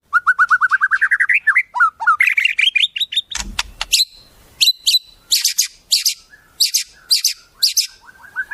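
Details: White-rumped shama singing a tutoring song laced with wild-bird phrases: a fast run of repeated whistled notes rising in pitch, then sharp high chips, a brief low rustle, and spaced bursts of buzzy high notes.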